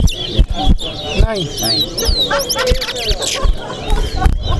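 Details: Competition singing from a chestnut-bellied seed finch (towa towa) at Corriverton. Bright, sweeping whistles rise and fall in a rapid warbled run, with a burst of high trills midway, against crowd talk and clicks.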